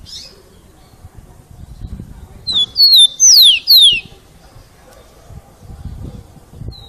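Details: Rufous-collared sparrow singing one full "Jesus meu Deus" phrase: two steady high whistles followed by two clear falling slurs, with quiet low background noise before and after.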